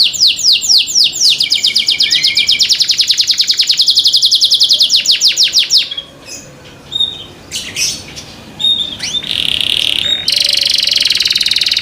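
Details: Captive canary singing loud sweeping trills that run into a rapid even roll, then scattered chirps after a lull and another buzzy rolled phrase.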